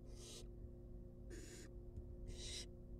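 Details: Wild barn owl young being fed in their nest box, three long breathy hissing shrieks within three seconds, strong and harsh, against a steady background hum.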